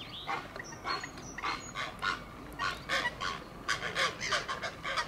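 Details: Three hungry Great Blue Heron chicks, about a week old, are fed a regurgitated crawfish by their mother and give harsh, rasping clucks in quick, uneven bursts, about three a second, with a few thin high squeaks mixed in.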